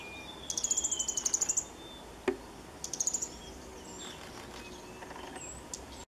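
A male fire-breasted flowerpecker gives a very high, thin series of about a dozen quick ticking notes, then a shorter burst; one faint click, otherwise quiet.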